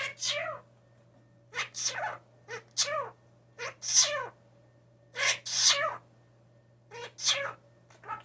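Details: Hand-raised young blue jay, brought indoors after falling from the nest and known to mimic speech and sneezes, gives a run of about nine harsh, downslurred calls rich in overtones at uneven intervals over a steady low hum.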